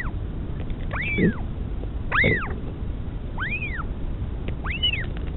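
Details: Nest camera at the northern royal albatross colony, Pukekura/Taiaroa Head, Dunedin, New Zealand, 2016, as the mother feeds her chick: four arched, squealing whistles roughly a second apart, some with short low grunts beneath, over wind rumble.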